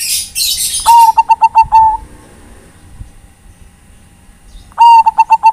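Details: Zebra dove, Bangkok type, calling companions with a rhythmic rolling coo of about six quick pulses and a longer closing note, repeated after a pause of nearly three seconds, with a hissy burst at the start.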